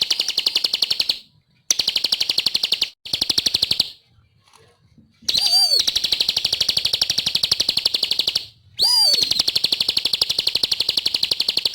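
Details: Bar-winged prinia singing strongly: long stretches of rapid high chirps with several short pauses, some restarts marked by a downward-sweeping slurred note.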